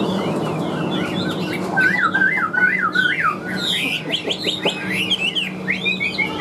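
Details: Chinese hwamei, a caged bird caught from the wild, delivering a varied song of zigzagging whistles and sharp rising slurs, getting busier and higher toward the end, with a low steady hum underneath.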